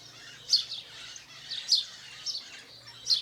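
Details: Short burst of house sparrow chirps in Brazilian nature: four bright, slightly rough chirps over three seconds, irregularly spaced, against soft background noise and low hum.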